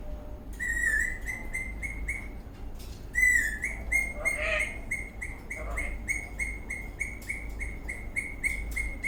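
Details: Eastern rosella in a happy mood while dancing: quick chirped notes repeated in even runs, with a couple of brief swooping whistles and a low rumble beneath.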